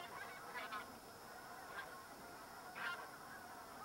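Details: Middendorff's Bean Goose (Anser fabalis middendorfi) wintering flock, northern Miyagi, Japan, Nov 2010–Jan 2011: three far-off distant calls ("I'm here"), earlier ones higher, last one lower, about a second apart, over steady hiss.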